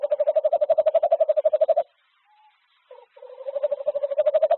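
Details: A courting tawny owl pair, filmed 06/02/2025, give soft, purring trills at Ash Tree: two bursts of rapid, evenly pulsed low notes separated by a brief pause, with a faint higher note between.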